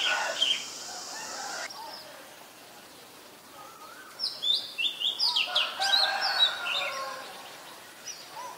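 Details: Female Asian koel giving a rapid series of short, shrill, high notes in the second half, repeated several times a second amid other bird chatter and steady background noise.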